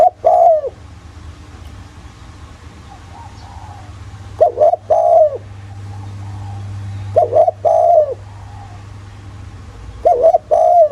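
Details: Spotted dove with a deep, earthy voice, played as a lure to prompt other doves to call. Widely spaced two-part coos, a clipped note then a fuller mellow one, sound every few seconds against a steady low hum.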